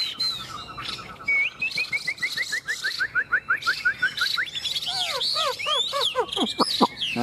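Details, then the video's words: Chinese hwamei with glossy plumage, a sale bird, singing a varied song: a long run of rising whistled notes repeated about three times a second, then looping downward-sweeping phrases and sharp high notes. "Họa mi đẹp hót hay"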